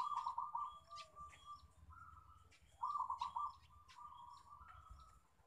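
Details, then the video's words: Local zebra dove lure song for drawing other doves into song: two bursts of fast rolling, trilled cooing with steadier held notes between, over a low rumbling background hum and faint clicks. "Pancingan Perkutut Lokal"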